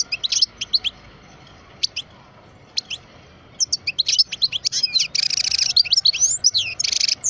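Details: Parva European goldfinch, twelve years old, kept in captivity, opening with scattered chirps that build into a fast, continuous twittering song with a dense buzzy trill toward the end.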